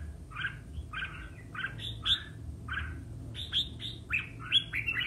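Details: Red-whiskered bulbul in a singing duel, clear warbling phrases rising to sharper, higher whistled notes in the second half.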